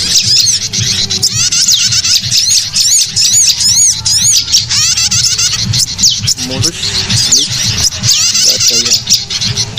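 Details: Prinia call used as a lure to attract birds: dense, rapid high-pitched chirps and twittering trills, many overlapping bursts throughout, with a steady low hum underneath.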